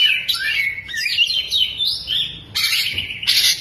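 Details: Oriental magpie-robin singing with its tail spread, its song filled with lovebird-style mimicry: a rich, varied run of bright whistles and fast twittering phrases, with sharp high bursts near the end.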